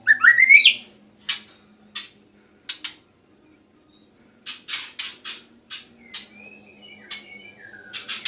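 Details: Caged male white-rumped shama singing actively (gacor) after a sauna treatment: an opening rising whistled sweep, then sharp clicks, short whistles and a thin glide scattered in bursts across eight seconds over a faint low hum.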